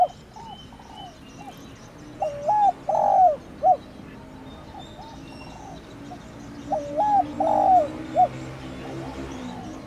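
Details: Spotted dove thổ đồng calling coo for rousing a decoy; soft distant-sounding coos lead into two loud three-part phrases about five seconds apart, each ending in a short clipped note.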